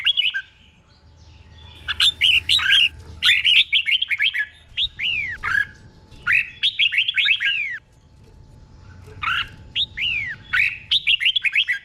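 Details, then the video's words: Caged red-whiskered bulbul tutor bird singing doubled phrases: bursts of bright, bubbly whistled notes sweeping down and up, delivered in three clustered runs with short pauses, and a faint low hum underneath. "เสียงนกกรงหัวจุก | สุดยอดนกครู เบิ้ลชัดๆ เบิ้ลเป็นคู่ๆ"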